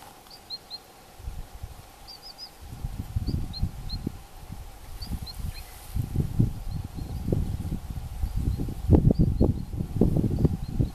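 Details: Female long-tailed rosefinch, filmed 22 July 2012 shortly before a shrike chased it off, gives thin, high, short call notes in loose pairs and triplets, over heavy low rumbling wind and handling noise.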